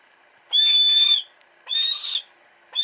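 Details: Captive female hawk kept at a house, calling: drawn-out, steady high whistled cries, each nearly a second long, with a faint room hum between them.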